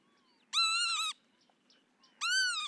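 Northern lapwing giving two wheezy, nasal 'pee-wit' calls, each slurred up then down, about a second and a half apart; otherwise quiet.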